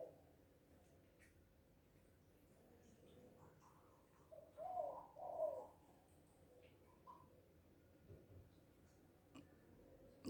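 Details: Spotted dove (Tekukur, Balam; Batak Anduhur Bolon), described as happy and calling loudly: two soft, mid-pitched coos in close succession midway through, quiet against a steady background hum, with faint clicks.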